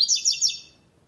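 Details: Double-collared seedeater, a caged tournament bird, singing the classic song style without third note: a brief burst of high, bright, rapidly warbled notes that fades out within under a second.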